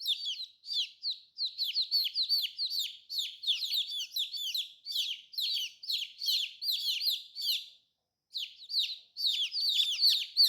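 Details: New baby chicks in bright colors keep up steady high-pitched peeping, sharp descending notes repeated several times a second, broken by one short gap before continuing.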